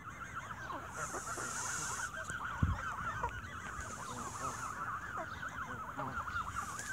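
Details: A flock of geese squabbling over bread in the evening fills the air with steady, crowded honking, the wavering nasal calls overlapping without pause. A single low bump is heard partway through.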